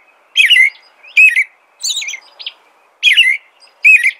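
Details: Loud, clear American robin phrases, each a rolling whistled slur, spaced under a second apart with a softer, higher phrase in between.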